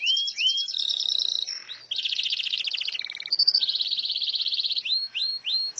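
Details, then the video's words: Canary song meant for tutoring other birds: rising whistles, then long rolling trills shifting between pitches, a brief high tone and a dense rattle, ending with upward-slurred notes. "Masteran burung kenari"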